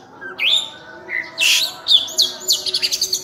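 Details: Oriental magpie-robin singing vigorously with a rich, varied repertoire: swooping whistles, harsh buzzy notes and a fast run of repeated chips near the end, over constant low hiss.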